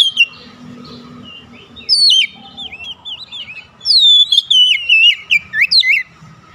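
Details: An Oriental magpie-robin calls to a companion and another magpie-robin answers. Soft, distant twittering gives way to a bright run of loud, looping whistled phrases that rise and fall rapidly over about two seconds.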